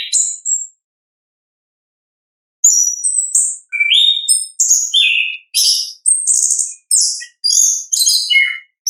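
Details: Orange-headed thrush, natural 'ngeplong' song used to trigger singing in caged thrushes: after a brief high whistle and a silent gap, a rapid string of short varied whistles and squeaky notes, about two per second.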